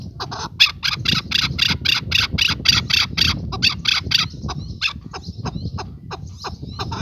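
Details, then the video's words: Male chukar partridge calling in a fast run of rasping chuck notes, about four per second, fading into sparse notes, over a steady low rumble of wind or handling noise. "Kınalı erkek keklik sesi"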